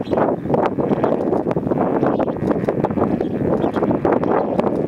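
A dense, steady murmur of many lesser flamingos gabbling and honking together in a courtship gathering, with some wind noise.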